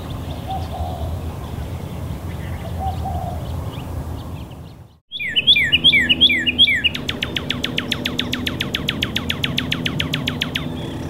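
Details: A Northern cardinal sings at West Loch Shoreline Park, Pearl Harbor, Oahu, Hawaii, on 9 April 2013: loud, clear slurred whistles, a few swooping phrases, then a quick run of about twenty rapid repeated notes, over a low steady rumble.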